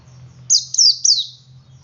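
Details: Male Oriental white-eye in ngalas song, used to coax other white-eyes to sing: three rapid, high, thin, falling slurred notes run together, with a low steady hum beneath.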